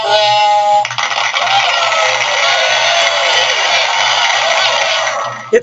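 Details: Speech over background music with a steady pulsing beat; no animal calls are heard.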